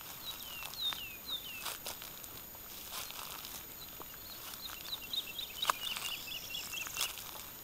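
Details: Early-summer Woodlark on a small fallow plot in southern Alentejo, Portugal, recorded from about 20 metres: a few sliding whistled notes at the start, then a quicker run of repeated notes later, with clicks and rustling around.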